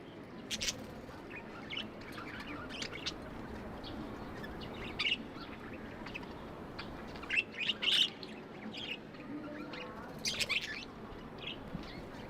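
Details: Several pet budgerigars make affectionate chirping sounds: sparse high squeaky chirps spread over the stretch, a few louder bursts near the middle and end, over a soft steady background hiss.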